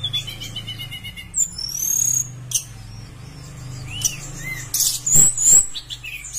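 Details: Lively Javan bush lark song used as a lure to prompt other bush larks to sing: a rapid trill of high notes, then scattered whistles, slurred upswept and downswept chirps and a loud ringing burst, over a constant low hum.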